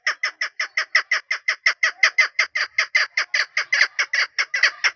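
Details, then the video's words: Around twenty-five loud, rasping chuk calls in five seconds from a female chukar partridge kept for hunting, closely and evenly repeated without a break. "desi made ki khobsort awaz .. sound of keklik..sawt shakra.. ses sound..pahri madi.. shikari madi."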